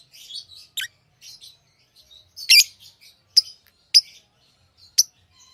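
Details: Pet lovebirds chirping, sharp broadband high-pitched chirps in scattered bursts with softer twittering notes between, indoors with no other clear sounds.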